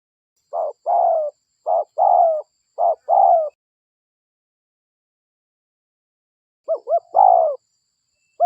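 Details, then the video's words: Lure recording of a local spotted dove: three paired cooing phrases, a brief note then a longer falling coo, followed by a long pause and a quick double note leading into another coo. "Pikat Suara DERKUKU Lokal Gacor RAJA PIKAT Ahlinya Bikin Semua DERKUKU DATANG"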